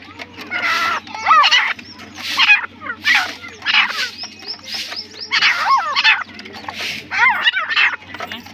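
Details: Partridge (teetar) calling: harsh, rasping notes with bent, chevron-shaped harmonics, given in bursts roughly every half to one second, with broadband noisy bursts between them.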